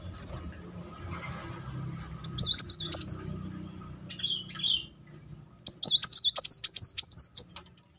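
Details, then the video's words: Rolling song of a Muncang sunbird, played as a lure to stir quiet birds to sing: low hum at first, then a quick burst of very high wavering twitters, a short lower whistled phrase, and a second rapid high twittering run. "Kolibri Muncang gacor ngeroll || pancingan terapi memancing emosi Muncang macet."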